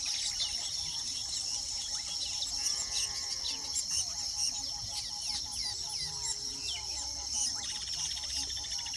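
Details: Weavers busy nesting give a noisy mix of sharp chips, short buzzy rattles and slurred whistles, with a constant shrill insect-like tone in the background.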